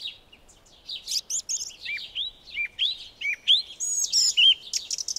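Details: A song thrush sings in a spring garden dawn chorus: bright, varied whistled and chirping phrases, high and rapid, with other birds overlapping throughout.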